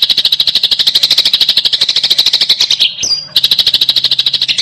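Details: Eurasian tree sparrow fighting call in a rapid, tightly packed style: a dense run of sharp, high chirps repeated about eight times a second, broken near the third second by a brief gap and a short clear whistle before the chirping resumes.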